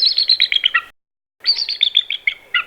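Bald eagle giving two bursts of high, thin chittering: quick piping notes run together, each burst sliding slightly lower at the end.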